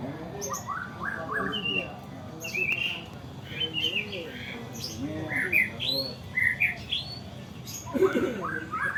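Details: Caged white-rumped shama giving a varied song of whistled slurs, rapid chirps and high sharp notes, with lower warbled phrases, a busy background and a brief harsh burst near the end.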